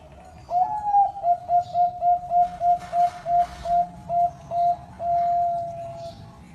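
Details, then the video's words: Zebra dove with competition-quality song: a rapid run of about a dozen clear, rounded cooing notes on one pitch, slightly rising at the start, ending in a long drawn-out final coo; faint background noise. "Suara Perkutut Berkualitas Lomba"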